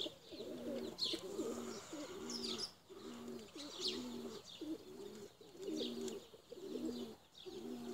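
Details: Tumbler pigeons, including blue checkered ones, raised for high flying: low, throaty cooing phrases repeat about once a second in a steady pattern, while small birds keep up sharp high chirps in the background.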